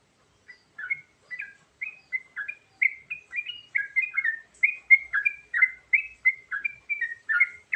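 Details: Sooty-headed bulbul giving a varied song used to lure birds: a steady run of short, bubbly, chortled notes, rising and falling, about two per second. The background is quiet.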